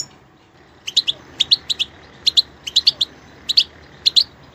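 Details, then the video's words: A singing goldfinch gives bright, high twittering chirps, mostly in quick pairs, about a dozen over three seconds against a faint background hiss. "stimulating the goldfinch bird singers"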